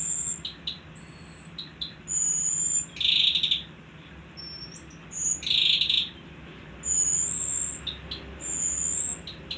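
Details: Pied triller singing energetically: very high, clear whistled notes in short bursts, alternating with harsh, buzzy rattling phrases, delivered quickly and irregularly with brief pauses.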